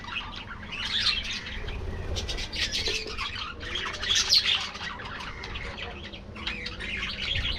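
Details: Aviary colony of budgerigars giving a busy mix of scratchy squawks and high twittering chirps in bursts, with constant overlapping chatter from many birds.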